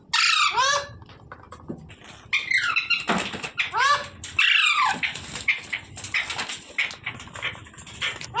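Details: Parrot calling with a run of harsh, arching screeches and rasping notes, some sweeping down in pitch. The calls are spread across the recording with little pause between them.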